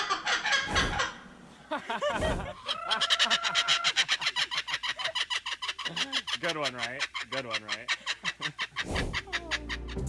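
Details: Laughing Kookaburra in the Australian bush, a call that marks territory and warns off rivals: a rolling cackle of rapid harsh rising and falling notes building into a loud chaotic laugh, with a voice briefly heard.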